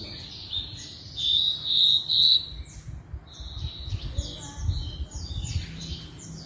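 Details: Javan bush lark in vigorous song: a loud burst of high, slightly buzzy phrases over the first two and a half seconds, then softer scattered chirps and twittering notes, over a steady low rumble.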